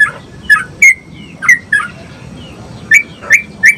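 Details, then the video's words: Sooty-headed bulbul singing, a lively recording meant to stimulate other bulbuls to sing: short bright whistled notes, often with a quick drop, scattered irregularly across a few seconds over a faint low background hum. "SUARA BURUNG TRUCUK GACOR ‼️ COCOK BUAT MERANGSANG TRUCUK BAHAN"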